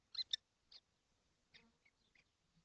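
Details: Seven kestrels together in a nesting box on a hot day, 12 June 2025: two loud, harsh, high screeching calls close together near the start, then a few fainter scattered chirps over a quiet background.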